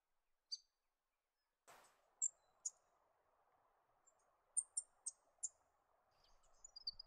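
Yellow-rumped Thornbill giving thin, high chips and tinkling notes at irregular intervals over a soft, steady low hum.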